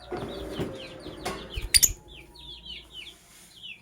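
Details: Chirping lovebirds in sky blue opaline and cobalt colours, heard in the morning: soft falling chirps, a sharp metallic clatter near the middle, then clearer evenly spaced chirps.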